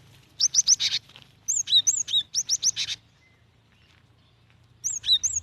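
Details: Female cinereous tit calling for a male: fast, buzzy runs of sharp high chirps mixed with slurred downward whistles, repeated in bursts, then a pause and a fresh burst.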